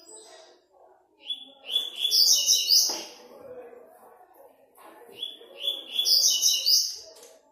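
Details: Double-collared seedeater singing for an online web tournament, fifth stage: two loud, rapid phrases about four seconds apart, each opening with clear whistled notes and swelling into a high, rich chattering trill, with faint background voices between them.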